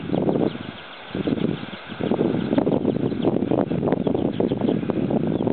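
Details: Northern gannets calling at Bempton Cliffs in Yorkshire, a continuous stream of coarse, rasping, throaty bursts with two brief lulls, over low rumbling background noise.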